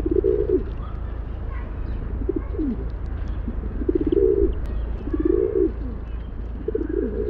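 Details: Series of about six low, bubbling rock pigeon coos, each rising and falling briefly, spaced around a second apart over a persistent low hum.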